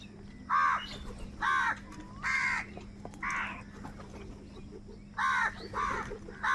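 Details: Crows contesting food caw loudly and persistently, with seven harsh, buzzy caws in two uneven bursts separated by a short quieter gap, plus a faint background hum.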